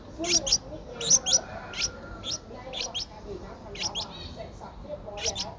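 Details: Ten-day-old Streak-eared Bulbul nestling in Ubon Ratchathani, Thailand, 12 April 2023: thin, high-pitched squeaky chirps, often paired, given in short bursts with brief pauses over a quiet, low background rumble.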